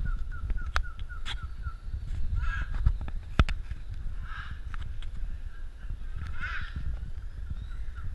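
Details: Endangered scarlet macaw at a sanctuary in Costa Rica: several harsh, raspy squawks at intervals of about two seconds over a steady low rumble, with scattered sharp clicks and some faint chirping from other birds.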